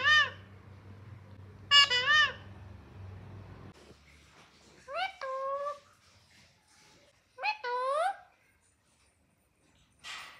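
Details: Pet green parrot producing speech-like harmonic syllables, some with steeply falling sweeps, in several separate bursts between pauses, with a low hum early on and a brief noisy sound at the end.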